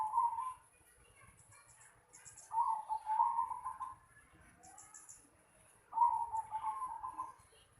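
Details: Zebra dove at a house yard, three rolling, trilled coo phrases spaced a few seconds apart, each starting strong and tailing off, while faint high twitters from other birds sound in the background.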